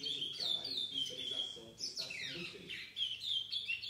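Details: A seven-month-old chestnut-bellied seed finch, recorded 4 August 2019, sings a steady run of clear, sweet whistles, some held and some sliding down, with a faint low murmur beneath.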